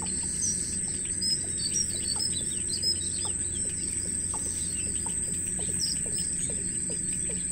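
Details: Wild baby birds in a nest begging their mother for food: rapid high, thin chirps scattered throughout, with short repeated downward-sliding notes below and a steady high insect whine in the background.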